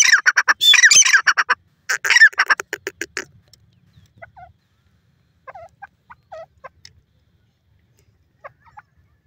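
A pheasant gives a burst of loud, harsh, rapid squawks for about three seconds, then a scattering of softer, short clucking notes.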